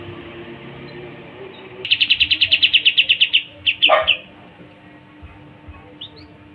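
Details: Pied triller singing a rapid, even trill of about twenty high notes, ending in a few louder chips and a harsh downward sweep, then quiet with one faint rising note.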